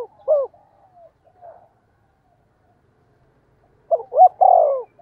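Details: Spotted dove coo meant to draw in wild birds; a clipped note at the start, then after silence a phrase of quick short notes ending in a long falling coo.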